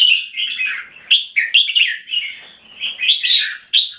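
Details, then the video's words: Caged red-whiskered bulbul kept in Singapore, giving clear 'keke' phrases and singing: a quick run of bright, chattering whistled notes in short bursts, some rising sharply, with brief pauses between phrases. "นกหัวจุก JAMBUL - SOLID CLEAR KEKE & SINGING"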